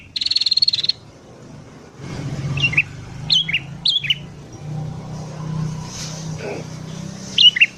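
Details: Morning song of a sooty-headed bulbul, meant as a lure for wild bulbuls: opens with a brief buzzy burst, followed by scattered short chirped notes over a steady low background rumble.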